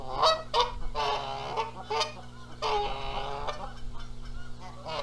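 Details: Nesting Canada geese arguing over egg-sitting duty, Rogers Place, Charlo, Montana, April 14, 2022. Sharp honks mix with drawn-out, rasping, noisy calls that fade toward the end, over a low background hum.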